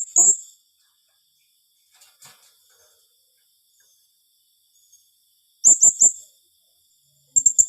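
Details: Blue-crowned hanging parrot calling in the "tembakan rapat" rapid-fire style said to unsettle rivals: one shrill note, a long quiet gap, then a quick burst of three piercing notes and another pair.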